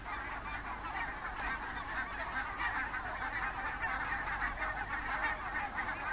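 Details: Thousands of wild Barnacle, Greylag and White-fronted geese passing over at morning, leaving IJsselmeer roosting shallows for fields to feed, Netherlands, October; steady wall of overlapping honks and cackles without pause.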